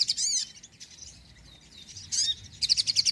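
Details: Sogon in busy song for luring birds and prompting lazy birds to sing: a high sweeping trill, a softer lull, then another swooping phrase and a fast series of sharp chirps.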